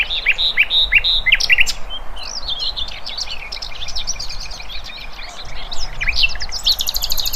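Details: A busy chorus of wild birds, with quick high chirps and twittering phrases tumbling over one another without pause, over low background rumble.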